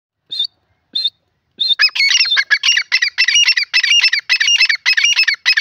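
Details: Grey francolin calling: a few short isolated high notes, then a loud run of harsh, ringing, repeated phrases with rising and falling notes in quick succession. The background is otherwise quiet.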